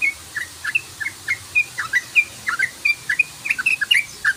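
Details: Sooty-headed bulbul lure call: a steady series of short, sharp, slurred chirps repeated about three times a second, clear against a quiet background.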